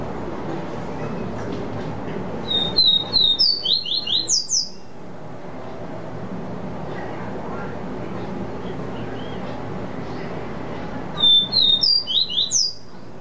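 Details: Caboclinho seedeater giving its "vi vi ti" song type: two bursts of quick, clear, down-slurred whistles, the notes rising higher through each phrase. Phrases are separated by about seven seconds of constant background noise.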